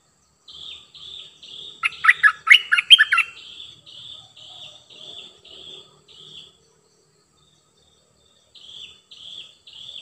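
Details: Cream-vented bulbul decoy bird giving short whistled notes repeated about twice a second, broken by a loud burst of rapid jumbled chirps, then more evenly spaced whistles after a brief pause.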